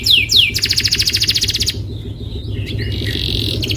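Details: Lure song of a canary to prompt another to sing: two swooping whistles then a fast rattling roll lasting over a second, followed by quieter scattered chirps.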